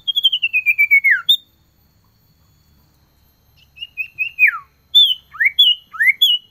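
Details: Common iora male calling a female, winter season: a rapid descending trill of about ten whistled notes ending in a downward slur, followed by short notes and quick rising and falling whistles.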